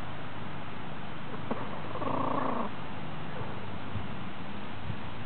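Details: Hen purring during a dustbath: one soft, buzzy, trilled purr lasting under a second against steady background hiss, with faint scratching before and after.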